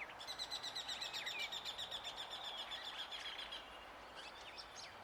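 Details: Urban hooded siskin in Uruguay gives a fast, even run of high thin notes for about three seconds, a buzzy trill-like stream, followed by a few scattered chirps over background traffic hum.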